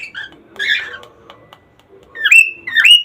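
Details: Cockatiel sounds aimed at triggering breeding: soft warbled chatter and faint notes, then two strong whistles that climb steeply and hold briefly.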